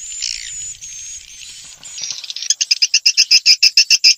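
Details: Swiftlet sounds from Vietnam played to lure swiftlets to bird houses: thin high whistles and a scratchy squeal, then a fast, even series of sharp clicking chips, about four per second.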